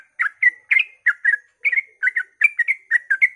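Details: Sooty-headed bulbul singing at dawn to provoke other bulbuls into song: a rapid, nonstop run of short chirpy whistled notes, about four per second, each note bending up or down.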